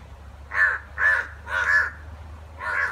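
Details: Two crows fighting, giving four harsh, nasal caws about half a second apart with a pause before the last, over a low steady hum.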